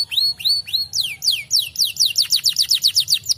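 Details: Fighter canary song used to prompt other canaries to respond: three slow arched whistles, then a quickening series of sharp down-slurred notes, around five per second.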